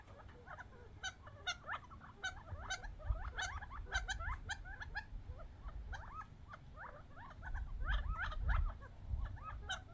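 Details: Young wild quail off the desert squabbling over bird seed; dense overlapping chirps and rising squeaks from many birds, with sharp ticking notes and a steady low rumble underneath, growing busier near the end.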